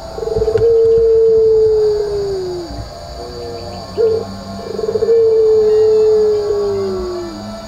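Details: A Puter Pelung (Barbary dove) at a breeder's aviary in Gondanglegi, Malang, East Java, gives two long, drawn-out coos, each held steady then sliding down at the end, with a brief note between them, over a faint steady hum.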